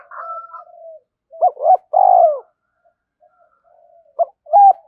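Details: Spotted dove cooing to excite a decoy bird: soft murmuring notes, then short low hoots and a long pulsing coo, a quiet gap and two more short, rounded coos at the end.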